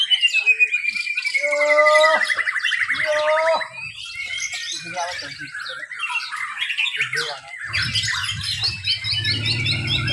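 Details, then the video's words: A caged White-rumped shama at a bird song contest in Mimika, Papua, sings rich, rapid song of descending whistles, fast chattering trills and repeated bright phrases, with other caged birds and a low hum of voices. "BIRD CONTEST MURAI BATU"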